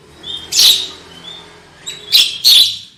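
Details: Black-winged myna lure song meant to make birds sing loudly: short high whistles followed by three loud harsh broadband bursts, the last two close together.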